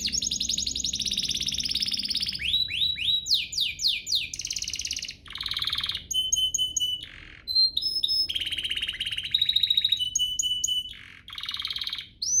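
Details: Varied canary lure song for prompting other canaries to sing: buzzy trills, down-swept notes, pure steady whistles and sharp chirps in quick alternating sections.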